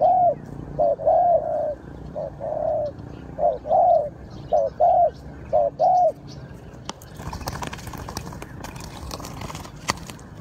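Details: Spotted dove giving a lure call used for trapping: about eight mellow, arched coos, some doubled, spread over six seconds, followed by broadband rustling and clattering noise.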